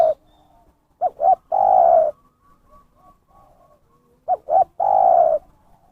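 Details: Zebra dove lure call, clear and loud: two short rising notes followed by a longer level coo, the phrase given twice about three seconds apart, with quiet pauses between.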